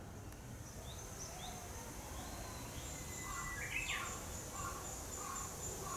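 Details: A Japanese bush warbler in a Yokohama forest on 17 June 2016, a sunny break in the rainy season, gives a faint, drawn-out whistle that breaks into a quick flourish, among scattered chirps of tits and woodpeckers and a steady low rumble.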